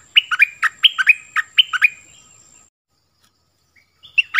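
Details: Oriental magpie-robin, clear original song with many phrases: a brisk string of bright whistled notes hopping between two pitch levels, fading out, then a fresh phrase starting after silence.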